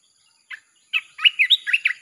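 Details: Red-whiskered bulbul singing nonstop to draw wild birds in. A lone chirp is followed by a rapid stream of bright, warbled, whistled notes that is still going at the end.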